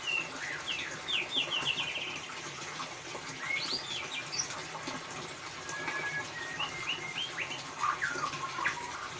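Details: Lure recording of a white-rumped shama singing ngeriwik for a bird that stays silent: quick chattering trills and short upswept whistles in bursts, a pause, then another rapid trilled run, against background hiss.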